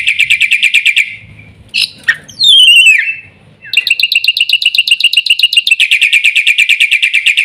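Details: Black-winged myna giving a fast shrill trill, then a squawk and a loud downslurred whistle, followed by another long, rapid, ringing trill.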